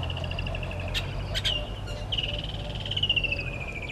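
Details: Red-billed hornbill at a nest tree by Gowrie dam, Djuma Game Reserve, Sabi Sand Wildtuin, South Africa, 10:09 on 30 January 2020, from a waterhole camera; a steady pulsed, clucking series runs throughout, with sharp clicks and a low background hum.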